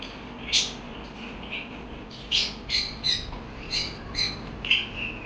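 A parakeet gives a string of short, bright chirps and squawky notes, roughly two a second, high-pitched and harsh-edged, against a quiet indoor background.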